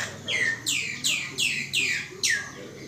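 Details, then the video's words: Common Myna calling: six loud, sharp notes, each a whistled sweep sliding steeply downward, given in quick succession about every 0.4 seconds, over a faint low background hum. "Chim Sáo Nâu"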